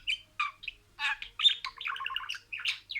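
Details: Budgerigar speaking words in sequence: short scratchy syllables, then a fast rolling run of clipped, bubbly notes, ending in a raspy burst; indoor pet bird chatter.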